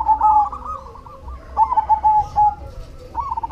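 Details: Zebra dove of the cemani type calling actively: a loud rolling coo, a pause, then a string of punchy repeated coo notes and a fresh trill, with fainter doves and low hum behind.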